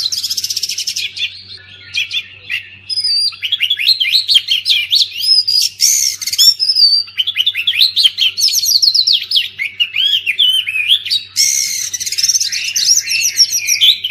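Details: Extended oriental magpie-robin song for getting mute magpie-robins to sing: fourteen seconds of fast varied chirps, trills and clear whistles, broken by several harsh buzzy rattles, with a faint background hum.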